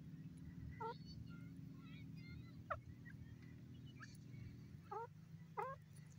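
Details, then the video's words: Grey francolin giving scattered rising, ringing notes with bright overtones, spaced one to two seconds apart, some in quick pairs, against continuous low droning background noise. "beautiful voice of dakni teetar lovely teeter ki awaz"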